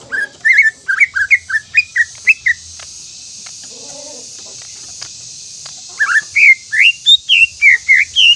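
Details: Provoking song of a greater green leafbird to set other leafbirds singing: a string of quick slurred whistles, a quiet gap of several seconds with a faint low sound, then a renewed burst of rising and falling whistled notes over a steady hiss.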